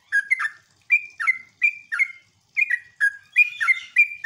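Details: Bubbly, liquid phrases from a sooty-headed bulbul, sung as a lure to prompt other bulbuls to answer: spaced two-note chirps with short pauses, quickening into a denser tumble of notes near the end.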